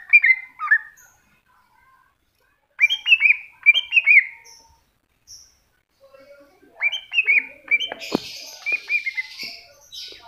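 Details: Cucak hijau (greater green leafbird) masteran: bursts of quick falling whistles separated by silences, then a busier twittering passage covered near the end by a loud rushing hiss.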